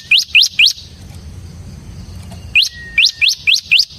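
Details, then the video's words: Bar-winged prinia, ciblek semi variety, singing gacor ngebren as a lure and tutor: three sharp rising chirps, nearly two seconds of quiet, then a thin level whistle and five more upslurred chirps. "suara burung CIBLEK SEMI GACOR Ngebren"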